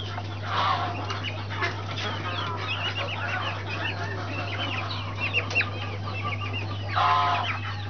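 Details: Brahma chicks peeping, a busy chorus of short, high, arched cheeps repeated rapidly, with scuffling and a steady low electrical hum throughout.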